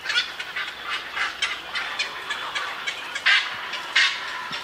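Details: Young black-crowned night herons, full of energy, in a cormorant and heron colony on a park bird island where Yokojukken Shinsui Park and Sendaiborigawa Park meet, 1 June 2023; rough, croaking squawks in choppy series, two sharper loud cries near the end.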